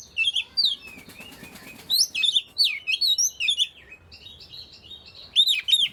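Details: Oriental magpie-robin whistling to coax others of its kind into song, with jumbled high slurred notes, some rising and falling sweeps, and a thin sustained tone near the middle, closing with bright looping whistles.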